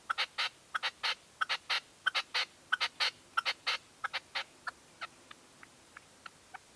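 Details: Red-legged partridge used as a hunting decoy, calling from a stand at dawn in 2023. Harsh, rasping chuckling notes come in quick clustered bursts, about one or two a second, growing thinner and quieter over the final seconds.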